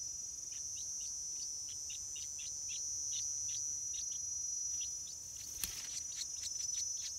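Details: Stripe-throated bulbul (Pycnonotus finlaysoni) chicks around their first flight give short, high, thin chirps in a quick uneven stream, several per second, over a steady shrill insect drone.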